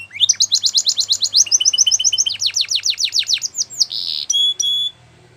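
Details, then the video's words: Training song of a canary: quick repeated chirps building into a rolling trill of downslurred notes, then a short harsh buzz and two sharp clipped notes, with faint low hum behind. "Canary Bird Singing | The Best Canary Training Song"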